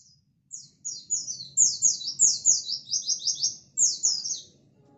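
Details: A local Indonesian white-eye (pleci) sings non-stop, used to provoke other white-eyes: a fast, high, tumbling twitter of thin downslurred notes in quick, energetic bursts with barely a pause.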